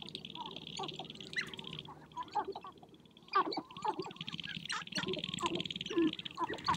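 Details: Sharp-tailed grouse at a spring courtship gathering on prairie hills, dancing and fighting to win females; quiet opening, then loud irregular cackling bursts and short yelping notes over a continuous high buzz.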